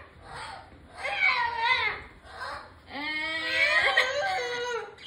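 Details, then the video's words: A cockatoo whines in drawn-out, wavering wails like a crying child, a short one followed by a longer, rising and falling plea, in a quiet room. "The whine whine whine"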